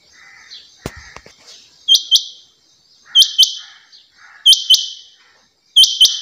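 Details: Female rain quail calling with loud, high, metallic double notes, a quick pair of sharp upswept notes repeated about every 1.3 seconds, with a few soft chirps and a thump early on.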